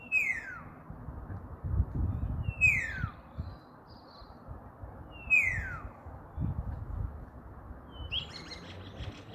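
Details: Common starling repeating a sharp downward-sliding whistle three times, roughly every three seconds, with a short twittery note at the end and low rumbling in the background.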